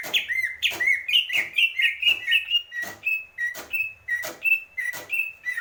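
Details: Greater green leafbird giving a measured series of clear whistled notes, roughly two a second, steadily spaced, each accompanied by a sharp broadband click.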